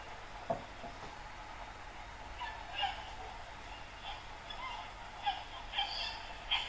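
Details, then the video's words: White sulphur-crested cockatoos from flocks perched in a dead riverbank tree on the Brisbane River at Yeronga, Queensland, at sunrise on a balmy morning give scattered, somewhat distant harsh, raspy screeches, about six over several seconds, over a steady hum. "Cockatoos Turn Australia's Sunrise into a Symphony"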